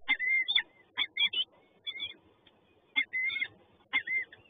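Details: Peregrine falcon chicks at a nest in Toruń give harsh, high, wavering screeches in bursts about once a second, begging for food.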